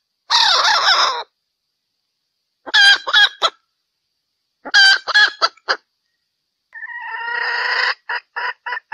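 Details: Hen's 'happy song' during mating in valentine season: a wavering drawn-out cry, two clusters of harsh staccato notes, then a long strained rising call trailing into short clipped notes.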